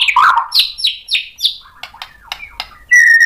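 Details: White-rumped shama, provoked into singing: a mixed chattering note, four quick descending high whistles in a row, scattered soft clicks, then a steady clear whistle at the end.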